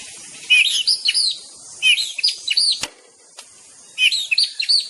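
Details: White-rumped shama (murai batu) song: three bursts of bright, rapidly varied whistled and chirping phrases around a steady high hiss, with short pauses between bursts.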